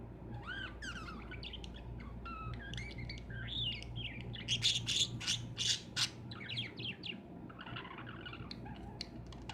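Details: Lovebirds in a cage chattering with rising whistles, harsh squawks and scratchy chirps. A dense noisy burst falls in the middle, all over a steady low hum.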